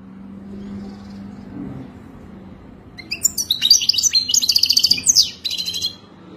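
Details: European goldfinch in the authentic Wadani song style. A quiet low hum comes first, then about three seconds of lively, high, tinkling twitter with a quick, rhythmic trill and scattered sharp chirps.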